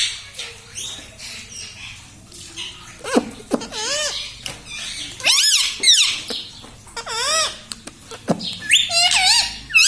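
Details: Pet parrot indoors, said to talk and say 'mummy papa', gives a run of harsh, hoarse syllables with wavering, rising-and-falling shrill tones after a quiet opening, in short bursts separated by brief pauses.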